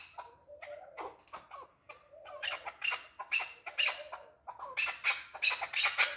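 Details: Male chukar partridge giving harsh, grating calls in uneven bursts, with rasping clucks that run into louder squawky phrases of several notes each.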